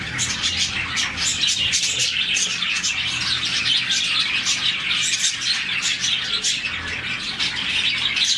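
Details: Budgerigar colony of some 40 caged birds in a morning chorus of happy chirping; rapid, overlapping high chirps come in short repeated bursts over continuous chatter.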